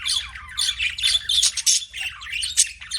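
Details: Budgerigar chirping: a dense run of scratchy, warbling chirps and squeaks, high-pitched and uneven, with short bursts packed closely together over three seconds and a faint low hum beneath.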